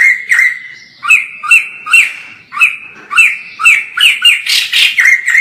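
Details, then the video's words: White-crested laughingthrush, known locally as poksay jambul, singing in full voice at a distance: spaced, ringing two-part notes that rise then drop, about one a second, ending in a brighter burst of louder calls. "POKSAY JAMBUL GACOR FULL"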